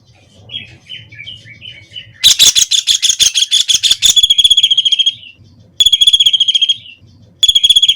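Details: White-throated kingfisher: soft wavering whistles, then a burst of harsh chattering, followed by long, shrill, level trills repeated at intervals of about one and a half seconds.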